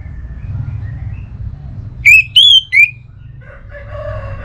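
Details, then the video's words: Orange-headed thrush song used as a lure for caged birds: after a quiet hum, three loud, bright whistled notes follow in quick succession, the middle one longest, then softer warbling. "ANIS Merah Dirumah Pasti Bunyi Dengar Pancingan Kicauan Burung ini"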